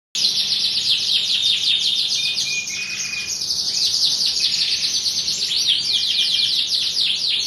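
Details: Canary singing in the morning as a prompt (pancingan) to get other canaries to answer: an unbroken, high, rapid trill of fast repeated downward-sweeping notes, with a thin steady whistled tone held briefly in the middle.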